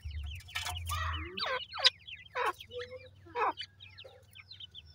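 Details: Grey francolin (teetar) chicks in captive housing utter bursts of high, falling peeps, a low droning hum at first, then scattered chirps and rustling.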